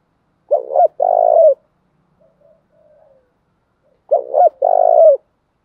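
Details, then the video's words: Spotted dove, male and female, in a stimulating call used to train doves to coo: two stuttered short notes, then a long burred coo. The phrase comes twice, about 3.5 seconds apart, with faint soft notes between. "thúc chim cu gay thuc cu dat"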